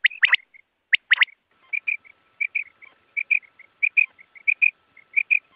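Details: Quail (batair) calls for night use. Two loud clusters of sharp rising notes open the clip, followed by a run of soft, short, evenly spaced whistled chirps with occasional paired notes.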